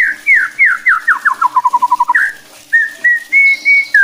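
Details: White-rumped shama song for provoking other shamas: descending whistled slurs speeding into a quick run of short notes, a pause, then clear level whistles and a high thin note.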